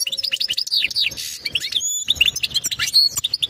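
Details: European goldfinch courtship song to prepare the female for breeding: swift, sparkling twitter of slurred chirps and buzzy notes, broken by a short pure whistle, then more rapid chatter.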